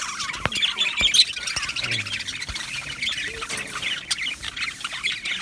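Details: Budgerigar colony in an aviary, 12 July 2025: continuous busy warbling chatter from many birds, with scattered sharp clicks and taps from wing or perch movement.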